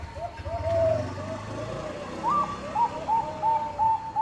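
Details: Lure song of a Bangkok-type zebra dove meant to set rivals singing: low warbled coos give way to a higher run of brief rising notes, over a steady low hum.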